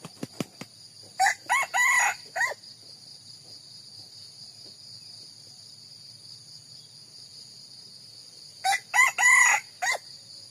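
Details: Red junglefowl crowing twice, about seven seconds apart, each crow a short four-part phrase of clipped opening notes and a drawn-out ending, over a steady high insect drone.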